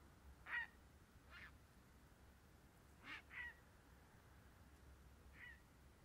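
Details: Grey heron calling with coarse, croaking bursts, two close together near the middle, others isolated, rough and noisy in tone, against faint steady low-frequency background noise.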